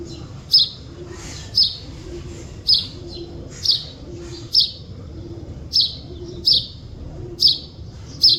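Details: Recorded in nature, a chidiya bird repeats sharp, high, slightly falling chirps about once a second, nine in all, against a quiet low background drone.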